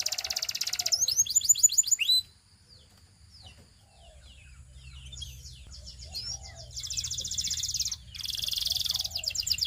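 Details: Russian canary song opening with a rapid high trill, then a run of descending whistled slurs, a softer stretch over low background hum, and finally loud, sustained rolling trills broken by a brief gap.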